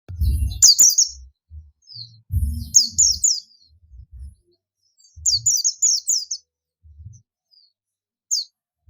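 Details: Oriental white-eye of the buxtomi type calling out to companions: three bursts of thin, high, rapidly descending chirps, four or five notes each, separated by pauses, with low thumping knocks underneath.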